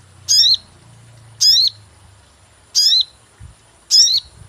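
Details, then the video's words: Sogon call played to lure birds for catching, four short, piercing high chirps with a falling flourish, spaced a little over a second apart, with a soft low hum and faint thumps. "cuit cuit pancingan burung sogon"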